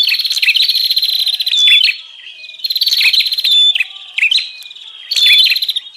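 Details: Bar-winged prinia lure sound for drawing in wild birds: three long, fast-pulsed buzzing trills, each roughly a second and a half, separated by quieter stretches with soft scattered chips.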